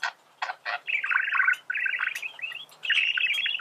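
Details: Male budgerigar singing, a song used to teach birds to sing: harsh chirps open it, then a long, rapid, chattering warble of buzzy and scratchy notes that runs almost without pause.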